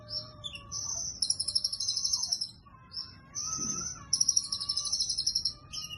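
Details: Sunbird (kolibri ninja) singing a cililin-style song with locked-in material, in high, thin bursts of rapid trills and buzzy chatter, with pauses between phrases and a faint steady whistled tone lower down.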